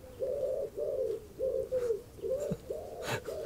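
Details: A lonely pigeon sitting in a bush, then on a fence, in an English garden on an unsettled day, 23 July 2020, coos in low, soft, rolling notes, about seven phrases in under four seconds, with a couple of sharp knocks behind; cows are nearby.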